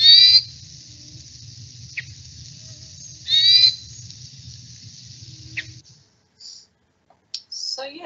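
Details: Hermit Thrush song: two high, fluty, ringing phrases about three seconds apart, each with a clear opening note, over a low background hum.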